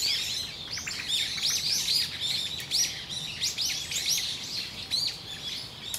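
Eyebrowed thrushes give a dense run of thin, high chirps and short arched notes, overlapping almost continuously as if several birds call together.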